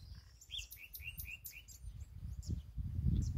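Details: Common nightingale singing in an ash tree: bright whistled slurs and short trills around the middle pitch range, with higher thin notes, over steady low rumbling background noise.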